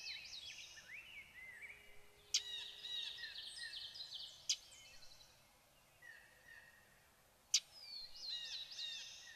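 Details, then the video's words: A common yellowthroat warbler in Maine sings bright, high, rolling phrases of repeated notes over a busy chorus of other songbirds, with three sharp clicks. "Common Yellowthroat"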